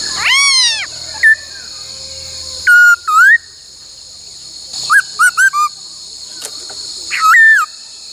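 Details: A laughingthrush in song training delivers scattered phrases of its many-voiced 'bắt cô trói cột' song. An opening arched whistle leads to sparse rising slurs and a quick triplet of notes, with low rumbling and hiss behind.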